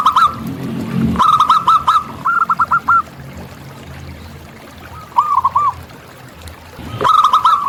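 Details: In natural surroundings, a local zebra dove delivers rapid clusters of bouncy cooing notes, three phrases spaced over several seconds with quiet gaps, plus a brief low murmur at the start and sharp clicks.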